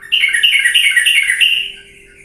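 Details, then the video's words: Lure recording of a sooty-headed bulbul, used to coax lazy birds into full singing: one continuous scratchy, warbling chatter lasting under two seconds, wavering slightly in pitch before trailing off. "pancingan trucuk yang malas jadi ikut bunyi gacor galak"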